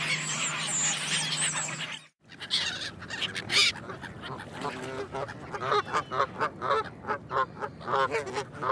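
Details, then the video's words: Goose calls after a short noisy opening: a run of short, nasal honks repeated roughly twice a second, some louder and harsher, over faint background hiss. "Som dos Gansos - Barulho do Ganso"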